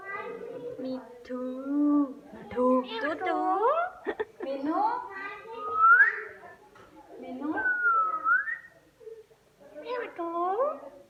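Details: A pet parrot talking with its owner indoors gives a run of voice-like chatter mixed with rising, swooping whistles, in bursts over about ten seconds.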